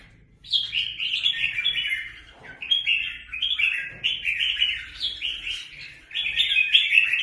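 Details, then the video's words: Free-ranging red-whiskered bulbuls fighting in Quang Nam, Vietnam, pour out loud chattering warbles, short looping whistled phrases repeated back to back in bursts after a brief quiet start. "Đại chiến chào mào nuôi thả"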